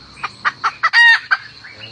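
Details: A hen calls to the rooster: four quick, throaty clucks build up to one loud, drawn-out ringing cry. A final cluck and a soft trailing note follow.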